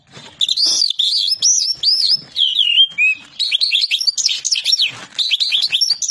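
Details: European goldfinch delivering touala song notes: loud, lively series of high, looping slurred whistles and fast twittering trills, with brief pauses between phrases and some faint clicks.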